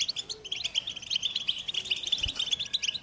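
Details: Song of the American goldfinch, a fast string of bright, twittering chirps at a high pitch, unbroken for the whole stretch, with one soft low thump partway through.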